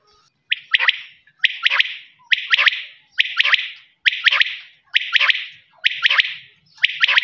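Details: Quail voice: a steady series of loud, rasping three-note phrases, each quick and clipped, repeated evenly about every second without pause.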